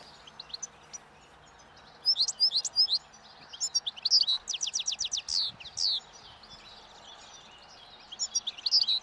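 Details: Wild European goldfinch at a roadside in Turkey, feeding calmly on last year's thistle seeds as spring approaches and breeding song begins; long sequence of lively twitters and a fast series of repeated sharp slurred notes, then more tinkling chirps.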